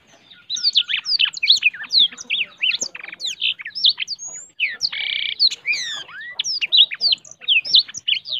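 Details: Energetic song of a blackthroat that sings until it opens its wings, a nonstop stream of high, quick, sweeping whistles mixed with a harsh buzzy note near the middle and short trilled passages.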